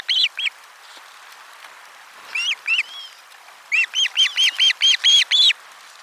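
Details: Osprey at nest 4, 12 July 2022, lunch fish delivery: a couple of loud paired whistles, a softer pair, then a fast even run of about eight arched piping notes.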